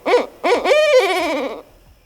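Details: Barred Owl caterwauling, a wild mating-season call heard mostly in late winter and early spring as pairs bond: two short hoarse yelps, then a long, wavering, slowly falling, laugh-like wail in an otherwise quiet setting.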